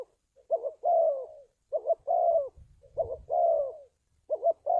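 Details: Spotted dove, calls used to train decoys and attract wild birds to traps: repeated low coo phrases, a stuttering double note then a drawn-out descending coo, with faint low rumbling noise in the middle.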